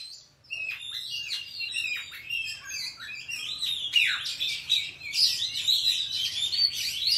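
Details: Oriental magpie-robin in wild forest voice, played to train young birds: loud, varied phrases of whistled notes and sweeping slurs between roughly mid and high pitch, delivered continuously with short pauses.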